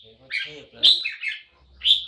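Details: Red-whiskered bulbul in a cage gives two brief bright whistled phrases, the first loud and fluttering, the second short and rising, with a man speaking faintly over the start.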